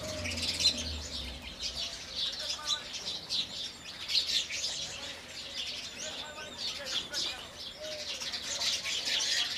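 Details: Indian house sparrows calling in the morning, a busy stream of high, clipped chirps rising and falling in loose waves, with a low hum fading out early on.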